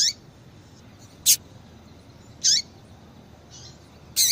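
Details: Calls of a female double-collared seedeater, used to get males singing: a brisk series of high squeaky chirps, roughly one every second, alternating sharp clicks with longer downward-curving notes, plus a softer chirp between them.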